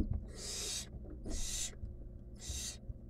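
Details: Three long, rough hissing screeches from a wild barn owl chick feeding on a rodent inside a nest box, evenly spaced with quiet pauses and a faint background hum.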